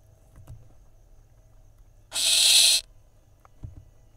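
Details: Barn owl nestling at a nest camera in Israel, 30 May 2021, mantling its prey away from a sibling: a single harsh, broad hissing screech lasting under a second, with faint soft knocks before and after.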